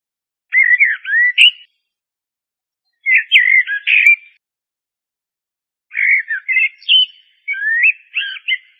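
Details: Song of a common blackbird (Turdus merula): rich whistled warbles in separate bursts about every two and a half seconds, mellow notes mixed with brief squeaky flourishes, otherwise quiet.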